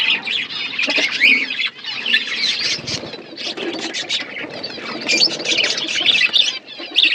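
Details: Budgie flock feeding, many birds chattering together in a busy stream of high, scratchy chirps and squeaky warbles that rise and fall in loudness without pause.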